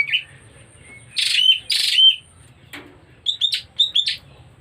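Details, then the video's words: Oriental magpie-robin beginning to come into breeding condition: a brief whistle, then two loud harsh scratchy bursts ending in clear upslurred notes, followed by a quick run of sharp chipping notes, with a thin constant high tone behind. "Pertanda Burung Kacer Mulai Birahi"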